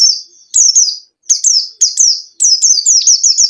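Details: Caged-bird lure recording of white-eye song: rapid series of piercing, high, downslurred twittering notes. Phrases are close together, and the last second becomes a continuous chattering trill.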